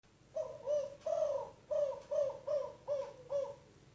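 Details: Spotted dove, a young untrained bird from Rajeg Hill, Tangerang, singing a 'kuk 5' style coo with a voice not yet powerful: low, hollow coos in paired, slightly descending notes, about seven in quick succession, in a quiet room.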